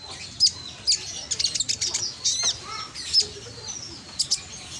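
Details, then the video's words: Konin lure recording from Gresik, East Java, with a loud voice meant to call other sunbirds into reply. Scattered high, sharp chips and brief twittering bursts are spaced with short quiet gaps. "Pancingan konin yang malas bunyi langsung emosi ikut nyaut"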